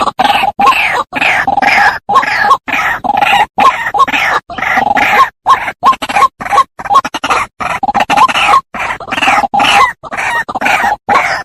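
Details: White-breasted waterhen call played as a trapping lure. Short, harsh, croaking notes repeat rapidly and unevenly, nearly three per second, loud throughout.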